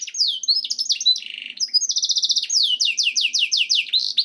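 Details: Canary song for coaxing other canaries to sing: mixed sweeping notes, a short buzzy section, a fast rattling trill, then a series of loud descending whistled notes repeated several per second.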